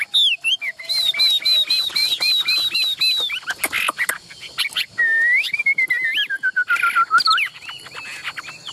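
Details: Chinese hwamei kept in a cage, hand-carried and tall-standing, delivering a repeated high whistled phrase several times, then harsher noisy notes and a long sliding whistle that slowly falls.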